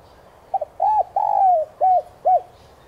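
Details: ['Lure coo of a spotted dove for training caged birds to call. A short phrase: a tiny doubled note, a rounded coo, a long downward-sliding note, and two brisk hollow coos, clean against a quiet background.']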